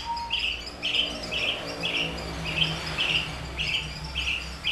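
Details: Captive Papuan bush lark (Horsfield's bush lark, race aliena), kept three years with finch song as tutoring, singing a string of rough, buzzy mid-high notes repeated roughly twice per second over low hum.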